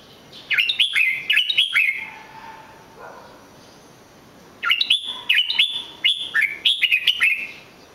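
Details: Red-whiskered bulbul singing in two phrases of rapid, cheerful whistled notes with swooping inflections, divided by a few seconds of quiet with a faint low tone.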